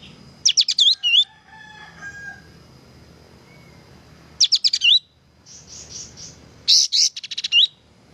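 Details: Kapas tembak singing vigorously on a training recording for cage birds. Three lively phrases of quick, sharp, high notes with looping whistled slurs. Soft lower warbles and a steady high hum fill the gaps.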